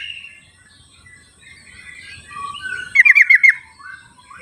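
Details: Sooty-headed bulbul in the wild, used as a lure to prompt silent bulbuls to sing; a quick burst of five bubbly, stuttering notes near the end, over faint twittering from other birds and a steady high hiss.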